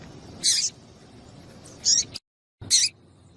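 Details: Calls of a female double-collared seedeater, used to get a male singing: three brief, high, bright chips, the first alone and the last two closer together, over a soft low rumble.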